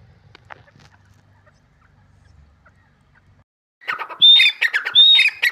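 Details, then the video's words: Grey francolin call, recorded 28 March 2024: after near silence, harsh squawky notes burst out, mixed with two bright, high, level whistles in quick succession near the end. "big saez teeter | teeter | eid ki new video teeter | voice | awz"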